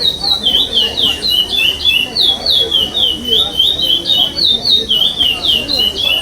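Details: Fifth-placed curió pardo at an eighth-stage 2021 state singing contest, chestnut-bellied seed finch performing the 'sem repetição' style: continuous pure whistled phrases, about three or four notes a second, falling slurs throughout.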